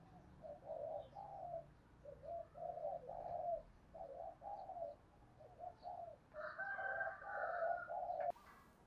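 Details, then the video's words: Decoy spotted dove in Đồng Nai, Vietnam, calling to lure wild doves: low hoarse coos in short phrases of two to three notes, repeated steadily over a hissy outdoor background, with a higher buzzy sound overlapping near the end. "Chim cu gáy mồi gáy gọi bổi hay nhất Đồng Nai"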